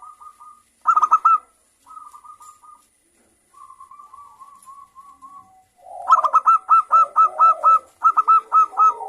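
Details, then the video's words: Local zebra doves answer each other noisily. Short clipped note clusters and soft trailing trills lead into a lively run of loud staccato notes over low rolling coos. "Perkutut Lokal Gacor Suara Rame saling Bersahutan"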